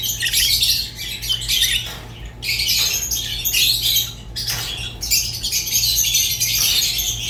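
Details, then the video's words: Lovebirds of rosy-faced and Fischer's kinds chattering, with rough, squawky bursts of high twitters broken by several short silences. "تغريد ولا أروع | روز و فيشر غندور بصوت ساحر وممتع"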